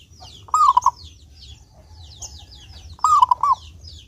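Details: Clear-toned local zebra dove (perkutut), sung as a lure to set other doves singing: a pair of bubbling coo phrases about 2.5 seconds apart, with busy high twittering of small birds throughout.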